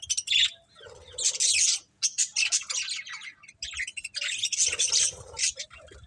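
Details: A happy colony of budgies chatters almost without pause: dense, buzzy, high warbling mixed with sharp squeaky chirps, rising and falling in loud waves.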